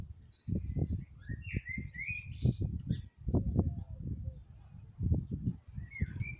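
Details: Blackbird calling out to his mate: short fluting whistled phrases that slide and warble, some rising, with pauses between, over heavy low rumbling and thumping noise throughout.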